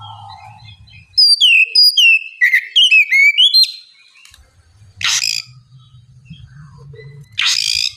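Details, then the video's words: Kacer, or Oriental magpie-robin, in ngeplong style, played to coax a lazy bird into answering: a rapid run of sweet whistled notes with quick slurs. Two harsh scratchy bursts and a low background hum follow. "terapi kacer ngeplong santai, pancingankacer bahan malas bunyi supaya cepat nyaut gacor"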